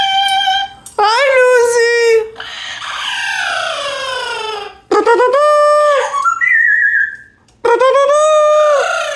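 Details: A female pet Amazon parrot sings in a human-like voice, with long held notes that slide down and up in phrases of two to three seconds separated by short pauses.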